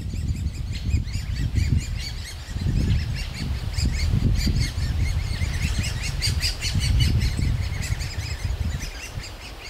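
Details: Young great spotted woodpeckers begging loudly for food in a nest hole in a big old aspen while the parent pair feeds them; rapid, high, repeated chirping runs throughout, over strong low rumbling wind noise.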